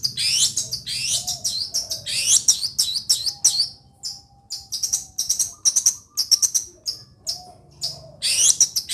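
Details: Long-tailed shrike, a bird said to originate from Situbondo, pouring out dense, high, sharp chirps and rapid downward-sweeping notes in quick bursts, with brief pauses between clusters and a faint low hum beneath.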